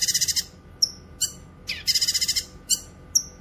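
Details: Grey-cheeked bulbul song recorded for training cage birds and luring wild birds: a fast buzzy rattle of rapid high notes, then short sharp chips and clipped whistled notes that drop in pitch, separated by brief pauses.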